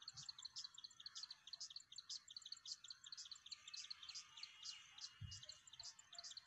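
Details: Plain wren-warbler calling at Magadi, India, on 23 September: thin, high, sharp chips repeat rapidly, several per second, in a steady run over faint low rumbling.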